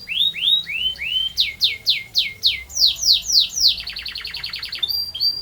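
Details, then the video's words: Canary singing rising whistled slurs, then a rhythmic series of loud descending notes about four per second, breaking into a rapid rolling trill and short high notes. "Burung Kenari Gacor Ngerol Panjang"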